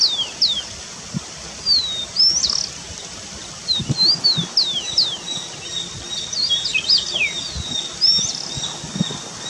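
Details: Starling in the wild forest giving many short high whistled notes, rising and falling slurs in quick irregular bursts, with faint rustling and soft patter underneath.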